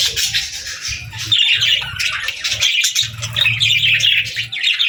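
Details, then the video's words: Happy pet budgerigars chirping while eating their favourite food: a dense, continuous flock warble of scratchy twitters and chirps, overlapping voices throughout, with low pecking or crunching thuds underneath. "Happy Budgie Sounds | Budgies Chirping & Eating Sounds"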